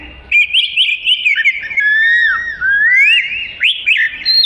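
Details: Oriental magpie-robin, black-and-white with a long tail, sings melodiously as tutor material: a burst of quick warbled notes, then long gliding whistles that dip and rise, ending in bright upward flourishes.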